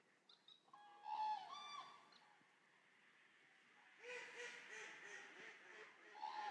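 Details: Resting flock of around 200 Eurasian common cranes at the Racconigi stork centre: several rolling, honking trumpet calls early on, a quieter gap, then a swelling chorus of overlapping calls from many birds.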